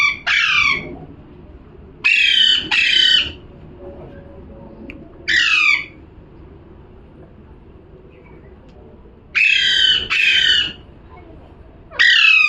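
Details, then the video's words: Parrot calling insistently with harsh, raspy squawks, mostly in pairs and sometimes single, at irregular intervals, with a faint low hum in the background. "#parrot🦜🦜🥰 #calling sound"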